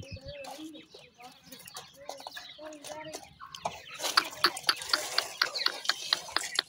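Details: Grey francolin chicks calling, kept by people: soft whistled notes, some sliding, in irregular short phrases, followed by a run of sharp repeated clicks or taps, with faint voices in the background.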